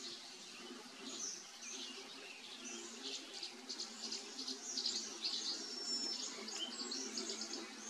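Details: Tree swallow community: many tree swallows calling together, a busy overlapping chatter of high liquid chirps and twitters.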